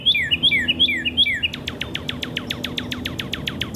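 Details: Northern Cardinal along Beargrass Creek in Kentucky, singing: four loud two-part slurred whistles falling in pitch, then a fast run of short, sharply downslurred notes repeated several times a second. Low background hum throughout.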